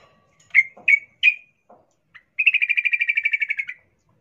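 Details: Female sooty-headed bulbul in heat calling to a male: three sharp chirps, a few soft notes, then a long even rattling trill of about fifteen rapid buzzy notes.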